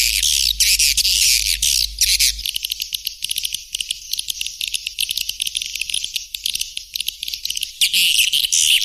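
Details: White-nest swiftlet chatter: continuous high, rasping twitters in quick irregular pulses, louder at the start and end, over a low steady hum.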